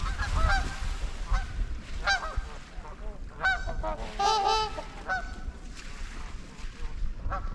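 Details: Trumpeter swans, 11 adults and two juveniles, wintering on the icy Huron River, Ann Arbor, Michigan, in February: scattered nasal trumpeting honks from several birds over low rumbling wind noise.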